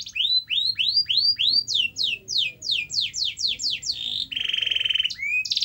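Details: Canary song played to get a quiet canary singing: repeated upswept whistled notes about three per second, then a faster run of falling slurs and a dense buzzy trill.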